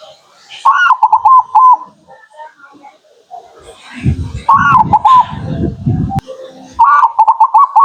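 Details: Local zebra dove song used as a lure for attracting local birds: three bursts of quick, rolling, mid-pitched cooing notes, with low rumbling, voice-like sounds filling the middle between phrases.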